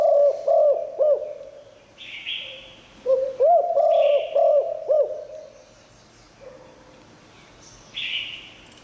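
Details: Spotted dove singing in the 'Liu Tan' style, its voice said to draw wild doves in. Two phrases of quick looping low coos alternate with rasping, falling buzzes higher up. There are quiet gaps between them.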